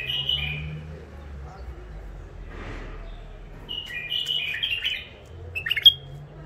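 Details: Captive bulbuls, wild-caught near the Mandali crossing and kept in first isolation, give a mellow whistled phrase first, then a busier run of fluty, tumbling notes in the second half, ending with a sharp bright note over faint hum.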